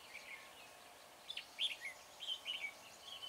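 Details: Red-whiskered bulbul decoy singing to lure wild bulbuls during trapping at Chùa Hương, 24 March: short warbled, slurred whistle notes in bright scattered bursts over a quiet background hum.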